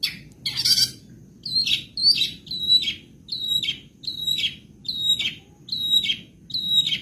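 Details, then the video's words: Caged long-tailed shrike, Madura cendet, in 'isian sekebon' song: a harsh opening burst, then a high whistled phrase with a downward slur, repeated about every 0.6 seconds. "Masteran Burung cendet Madura terbaru 2023 ...!!! full isian sekebon."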